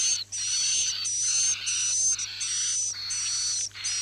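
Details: Edible-nest swiftlet sound played to make swiftlets stay overnight in a bird house: long buzzy, rattling bursts carrying a thin high whistled tone, about half a second to a second each, separated by brief gaps, over a steady low hum.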